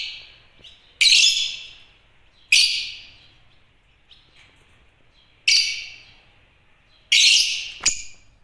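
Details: Chirping African lovebirds (Agapornis): four loud, scratchy, high chirps at uneven intervals, each decaying with an echo, plus a few faint softer notes and a short click near the end.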